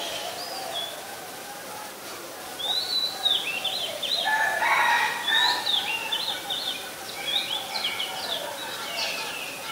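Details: Oriental magpie-robin, very common resident of Ubon Ratchathani, Thailand, singing on 26 December 2020: a rich, varied sequence of sweet whistles, upward slurs and quick trills delivered almost without pause, over soft low background tones.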